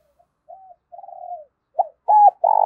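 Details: Decoy spotted dove calling to lure others: soft hesitant coos building up, then a short note, a loud arched coo and the start of a rolling, throbbing coo.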